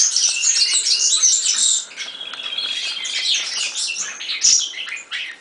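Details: European serin song: a loud burst of rapid, high jangling notes, then a softer passage of thin twitters and short buzzes, rising again before fading out.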